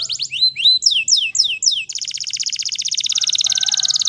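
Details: Wild canary song: a few loud swooping, down-slurred whistles, then a fast, steady high trill of rapidly repeated notes to the end, with a faint lower tone beneath.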